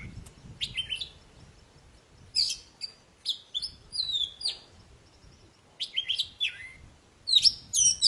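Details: Oriental magpie-robin of the poci type singing hard, for stirring silent birds back into song: scattered phrases of sharp whistles, downslurred notes and chattering bursts, with soft background hiss between them.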